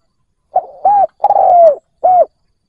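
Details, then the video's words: One soft, clean phrase from a spotted dove decoy luring wild doves: faint opening note, short coo, long coo drooping at the end, then a last short coo. "Cu mồi gáy kích bổi cực nhạy dành cho bổi khó tính"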